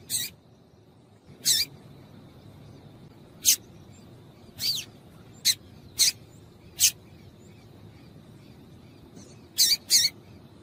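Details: Yellow-bellied seedeater (papa-capim) female calling to stir males into song: a loose series of about ten brief, high, clipped chips at irregular intervals, some nearly paired, over quiet hiss.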